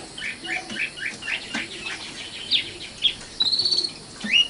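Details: A common nightingale (Luscinia megarhynchos) sings a varied string of high chirps and sharp whistles, then a fast rattling trill and a final rising note over a light background hiss.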